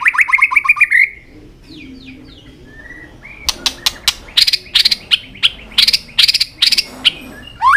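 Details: Tail-flicking white-rumped shama with clicking calls to stimulate young birds: a rich warbled whistle opens, then soft notes, followed by a steady series of sharp clicks each paired with a short whistle.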